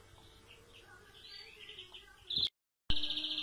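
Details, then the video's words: European greenfinch singing soft, rapid twittering notes at a fairly high pitch, then a louder burst, a sudden break and harsh rushing noise. "Greenfinch Song"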